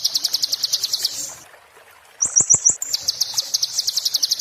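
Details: Oriental white-eye singing in the 'muntah beling' style, a tutor song for magpie-robins: fast, high, even trills of sharp notes, then a pause, a short buzzy four-note burst with clicks, and the rapid trill again.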